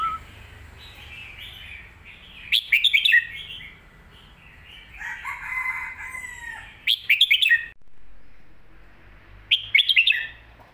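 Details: Red-whiskered bulbul in a cage, singing a complete, quick song style used to teach young birds: bursts of fast, sharp whistled notes about every four seconds, with a longer, lower drawn-out call in between.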